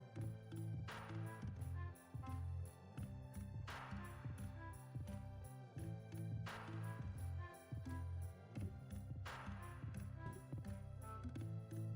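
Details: Steady instrumental music with a strong low beat and regular cymbal-like crashes about every three seconds; no animal sounds.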